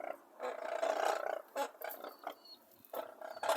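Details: Several Brolgas at Longreach in Queensland, Australia, produce coarse, pulsing trumpet calls, loudest around the first second, followed by shorter bursts and scattered clicks.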